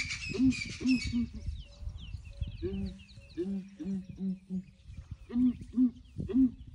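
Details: Ground hornbills booming in the morning as a breeding herd of elephants comes to investigate: low hollow hoots in repeated triplets, a lower-pitched series of four in the middle, and brief high bird chirps at the start.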